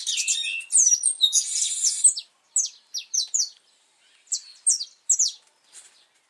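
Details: Saffron finch, a brown-plumaged pardinho, singing in the wild on 8 November 2024 in cold, rainy weather as the breeding season starts: a loud burst of rapid chirps and a buzzy trill, then short bright notes repeated in small groups.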